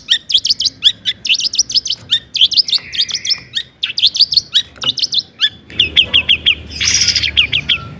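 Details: Long-tailed shrike, a caged bird, singing its toet-toet style song, meant to provoke other shrikes to sing: fast bursts of sharp, high chattering notes in quick runs, with a harsh buzzy rasp near the end.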